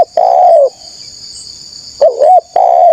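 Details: Lure call of a spotted dove meant to provoke wild rivals: a long smooth descending coo, a pause of over a second, then a quick dipping note and another sustained coo, with constant high-pitched insect buzzing behind.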